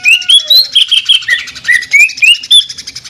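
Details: Greater green leafbird in jamtrok song with machine-gun tembakan: quick sequence of sharp rising and falling whistled notes, about four per second, bright and loud, with a short lower slurred whistle near the start.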